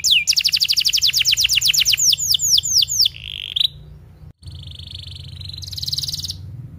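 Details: Tutor song of a canary for young birds and canaries that stopped singing: a cascade of quick descending notes, a brief buzzy phrase, a short break, then a steady high trill that brightens toward the end.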